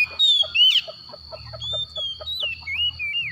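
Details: White-rumped shama in the morning giving clear whistled slurs, some falling, over steady low hum and faint repeated clicking; a harsh upward sweep near the start.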